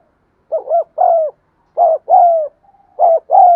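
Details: Spotted dove cooing, offered to prompt silent caged birds to coo: three phrases, each a quick doubled low hoot then a longer, falling coo, in a quiet setting.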